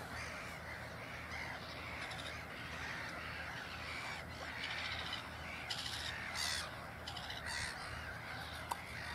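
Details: Black-headed gulls around a parent and following chicks at Ottersaat, Texel, Netherlands: bursts of scratchy, high squawks come in clusters, several voices overlapping, against a constant low rumble.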